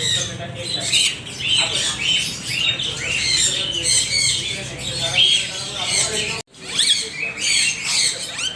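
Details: Many parrots chattering together, a dense mix of rising chirps and rough squawks that overlap continuously, broken by one brief silent gap.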